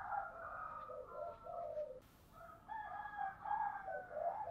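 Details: Spotted dove song of the 'giọng thổ' style, heard as faint, continuous low cooing phrases overlapping one another with a hissy background and a brief break of noise midway.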